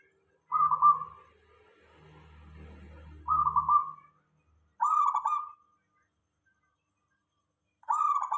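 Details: Local zebra dove song meant to draw replies from other doves: four short, evenly pitched trilled coo phrases spaced a second or two apart, with a soft low droning noise between the first two.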